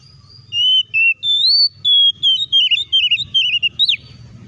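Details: Oriental magpie-robin song used to provoke other magpie-robins into singing and showing their repertoire: a run of clear, sustained whistled notes, some flat and some wavering, ending in a sharp rising-falling flourish, over a low background hum.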